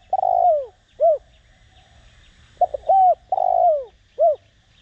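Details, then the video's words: Spotted dove decoy cooing in the Vietnamese Đồng Rặc voice style to provoke other birds: long, buzzy falling coos each followed by a clear hoot, the phrase given twice within five seconds. "Cu gáy mồi cây kích bổi nhanh nổi/Cu gáy gáy gọi kích bổi nhanh gáy/Tiếng cu đất gáy giọng Đồng Rặc"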